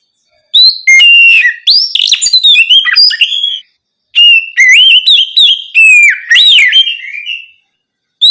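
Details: Night song of an Oriental magpie-robin, used as a prompt to get young cage birds singing: rich whistled phrases mixed with quick chirps and slurred notes, two long bursts broken by a brief pause.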